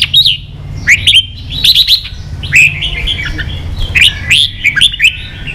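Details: Red-whiskered bulbul singing competitively in captivity: bouncy, loud whistled phrases of several notes, repeated at short intervals, over a low background hum.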